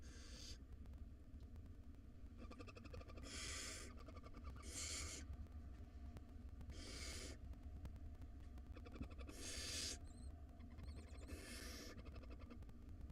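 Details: Hungry barn owl nestlings, five wild chicks in a nest box at dinner time, produce a run of six or seven breathy, rasping screeches at irregular intervals, with a steady low hum underneath.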